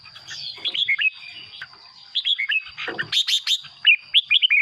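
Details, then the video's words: Song of a caged red-whiskered bulbul, played to make birds lively: melodious whistled phrases of descending slurs, a sharp high chirp burst midway, ending in a quick run of rising and falling notes over a faint high hum. "เสียงนกกรงหัวจุก สำหรับต่อ หรือ เปิดให้นกคึก เสียงเพราะๆ"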